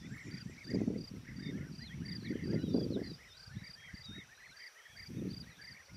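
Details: Several bee-eaters perched on overhead wires on the flat steppe of Extremadura, Spain, call together in a steady chorus of soft, rolling 'prruip' notes, overlapping, over a low rumble of wind.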